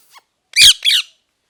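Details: Parrot, natural sounds: two loud, harsh, rasping squawks in quick succession, the second slightly shorter, in a quiet indoor setting after a faint short chirp.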